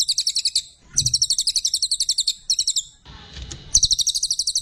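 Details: {'caption': 'Brown cililin chattering song for masteran: bursts of quick, piercing pulsed notes, interrupted by a low bump and a short rustling noise before the trill returns.'}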